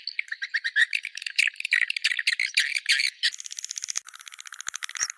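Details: Swiftlet calls in the Goa China style: quick runs of sharp, high chirps about three seconds long, then a thinner, even rattle of rapid ticks.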